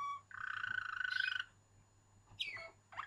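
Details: Waterslager canary giving a short note followed by a fast, pulsing rolled trill lasting over a second, then silence and two quick downward-sliding notes; a steady low hum in the background.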